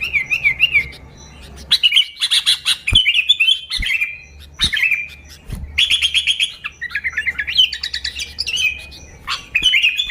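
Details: Sooty-headed bulbul singing energetically, an original recording without mimicked phrases used to lure bulbuls; bubbly, liquid warbled phrases run almost continuously, broken by several sharp clicks and knocks.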